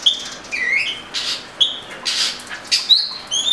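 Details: Oriental magpie-robin with short whistles separated by brief pauses, mixing flat clear notes with softer slurred ones.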